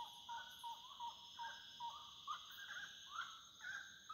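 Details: Wood rail singing at nightfall: soft, low clucks give way to louder upslurred notes repeated about twice a second. A constant high insect chorus plays in the background.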